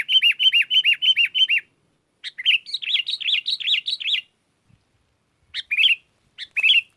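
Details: Sooty-headed bulbul luring wild birds that answer and join in; a fast string of repeated looping chirps, a second busier chattering phrase, then scattered single notes after a gap.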